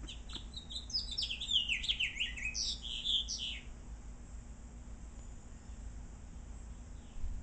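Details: House finch singing, as it does every morning and through the day: a quick, high, warbled run of slurred whistled notes lasting about three seconds, rising and falling, then quiet with steady low background rumble.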